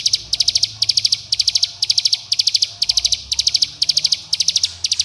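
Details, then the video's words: Bar-winged prinia lure song in tight 'bren' style, a call summoning companions and provoking rivals, played to get young birds singing: rapid bursts of five or six sharp high ticking notes, bursts every half second, steady throughout, faint low hum beneath. "Pancingan Cigun Bren Rapat Agar Ciblek Gunung Muda Bahan Ikut Bunyi Gacor dan Ngebren"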